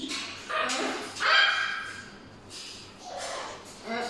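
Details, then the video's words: Two macaws, a buffon and a Catalina macaw, give about six harsh, raspy squawks and bark-like calls in quick succession, each under half a second, with short pauses between them. "buffon and Catalina Macaw"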